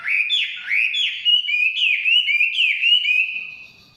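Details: Chinese hwamei in the forest singing rich, looping whistles, each phrase swooping down and rising, given about five times in quick succession before trailing off into quiet.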